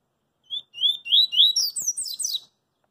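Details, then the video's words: Street-singing double-collared seedeater delivering a quick run of rising whistled notes that accelerates into a higher, jumbled twitter before stopping abruptly; a brief soft click is heard in the middle. "CoLEiro CoringA cantando na Rua"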